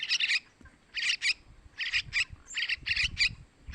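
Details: Begging of a sooty-headed bulbul nestling, played to lure males: loud, rasping high squawks in tight doubles and triples, repeated rapidly with a faint low rumble behind.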